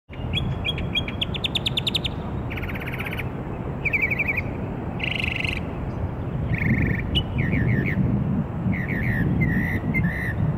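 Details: A northern mockingbird sings in Maryland on 27 March 2013, giving a varied string of phrases, each a rapid repeated note or trill, switching abruptly to new ones over a steady low rumble.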